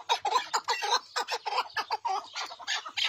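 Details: Chukar partridge giving loud, harsh, rhythmic chuck notes in rapid uneven bursts, about two per second, clucking and rasping with no other sounds.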